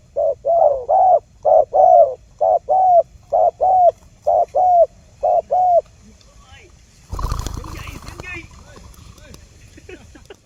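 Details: Spotted dove coos used to lure wild doves for trapping: about six seconds of paired low mellow coos, followed by a burst of rustling noise and indistinct sounds.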